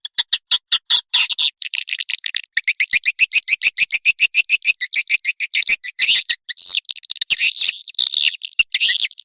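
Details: Swiftlet lure call used to attract the birds in flocks: a fast train of sharp, high clicking chirps, about a hundred per minute, running together into rapid twittering towards the end.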